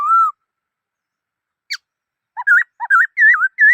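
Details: Black-throated laughingthrush singing: one clear whistled note, a pause, then a run of rich, warbling whistled phrases that rise and fall and come in quick succession. No other sounds.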